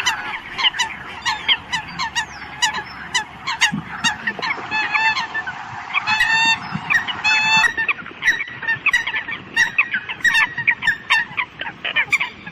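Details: Eurasian coots give a busy chorus of short, nasal, honking flock-gathering calls, several birds overlapping in quick bursts throughout.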